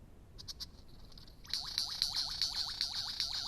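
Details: Superb lyrebird song: a faint high thin trill, then a loud fast series of repeated notes, each sweeping down sharply, over a steady high ringing tone, roughly two to three notes per second.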